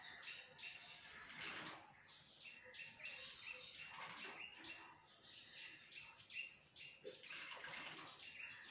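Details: Bathing myna from Bangladesh giving a string of sharp, squeaky chirps and chattering notes over splashing water, with bursts of wing flutter as the bird washes.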